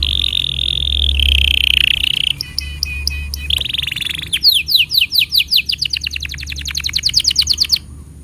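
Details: Canary tutor song for juvenile and silent canaries: steady trilled rolls at two pitches, a stutter of clipped notes, then a run of fast descending whistled slurs speeding into a chattering series.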